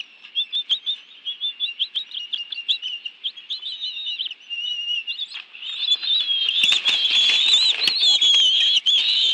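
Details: Bald eagle family at a nest in Washington, D.C.'s National Arboretum, June 2017 afternoon, adults arriving with fish to feed two young. Quick high chirps run in a rapid series, then merge into denser, louder squealing whistles mixed with rustling.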